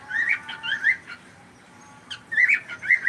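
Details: Pet cockatiel chattering in a run of short whistled chirps and warbling notes, pausing briefly, then resuming with bright rising whistles and quick chirps.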